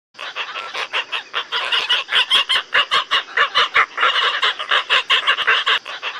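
Asian openbill giving harsh, nasal, honking croaks, about two or three a second in a steady, slightly uneven run, with several voices overlapping.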